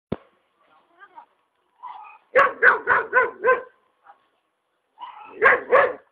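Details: Hyacinth macaw, free-living at a rural property in Ilha Solteira on the Paraná River, giving loud harsh, guttural squawks: a quick run of four rasping calls, then a pair, with softer scattered notes before; no other sounds.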